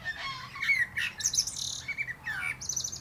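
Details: Male common blackbird perched atop a plum tree, delivering a rich fluty phrase with rising and falling notes followed by thin, high squeaky twitters, all in quick succession.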